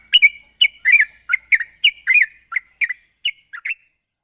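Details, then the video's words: Sooty-headed bulbul (trucuk) played as a lure to encourage rapid singing: a quick string of bright, slurred chirps and short whistles, some doubled, tapering off toward the end into silence. "pancingan burung trucuk bahan agar cepat ngropel"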